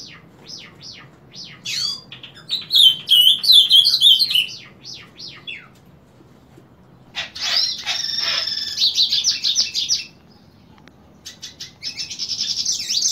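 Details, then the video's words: Painted bunting singing in the morning, punctually from 7 am each day: rapid high sweet warbled phrases, separated by series of quick descending chip notes and a long buzzy, scratchy stretch. "Reina Mora Cantando Por Las Mañanas."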